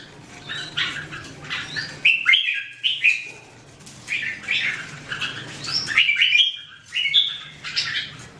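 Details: Red-whiskered bulbul song amid a chorus of birds: short, sweet whistled phrases and rapid chirps in quick succession, several voices seeming to overlap.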